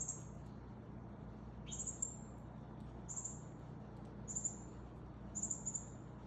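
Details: Male Northern cardinal feeding a fledgling; thin, very high, level whistled notes come in short bursts roughly every second, some doubled, over a steady low background hum.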